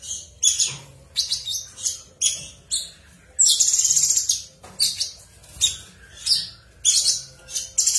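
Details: Cucak cungkok in 'ngebren' song: loud, high, rapidly repeated chirping bursts and a sustained shrill trill, phrases coming roughly twice a second against a quiet background.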